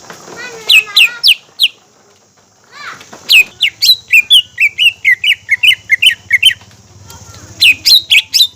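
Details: Green leafbird singing lively lure song meant to excite other birds: rapid bursts of high, sharp chirps and downslurred whistles, then a long fast run of evenly repeated notes, over a low steady hum.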